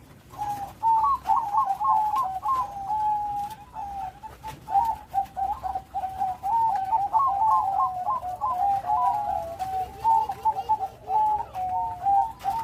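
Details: Continuous, strong song from a Bangkok zebra dove with complete rhythm, a long chain of rapid rippling trilled coos that rise and fall, with a fainter lower cooing voice underneath near the end.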